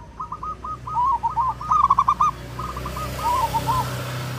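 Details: Local wild zebra dove song, said to be clear and good for luring birds: a run of quick stuttering notes that rise into louder rolled coos, then a softer trailing phrase, with a low steady hum behind.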